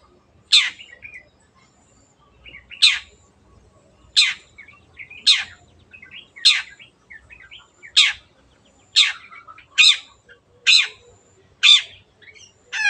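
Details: Long-tailed shrike lure recording meant to get birds singing: about eleven loud, harsh descending notes, each followed by softer chatter, repeated at irregular one-to-two-second intervals and speeding up toward the end.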